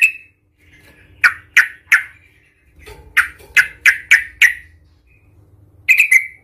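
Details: Provoking song of a yellow-vented bulbul, aggressive in tone: scattered piercing chirps, a string of five quick staccato notes, then a closing cluster of bright squeaky calls.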